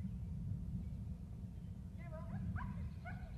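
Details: Male bald eagle at the nest with eggs, trilling as the female flies in for a nest exchange; a short burst of squeaky, stuttering harmonic chirps late in the clip over steady low wind rumble.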